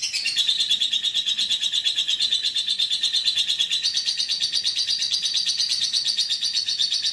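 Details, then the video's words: Lovebird from Central Java, a celebrated competition bird with wins at local and national events, giving a long, fast, buzzy trill that stays high and steady and pulses about three times a second throughout. "Lovebird Fenomenal dari Jawa tengah."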